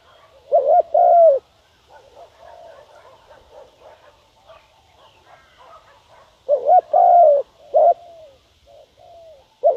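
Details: Spotted dove used as a decoy, cooing to draw in wild doves: one low two-part coo near the start, a long pause with soft faint calls, then a second coo phrase with extra short notes.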